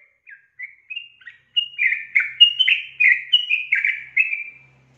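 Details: A female sooty-headed bulbul calls to entice a male to join in and sing. A few soft, spaced chirps build into a dense, rapid string of warbled, slurred notes before falling quiet. The background is silent.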